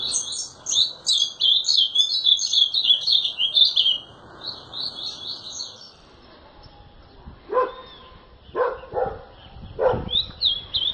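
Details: Azulão sings a long, lively warbled phrase for about four seconds, then after a quiet stretch several loud dog barks cut in, with a brief song fragment near the end.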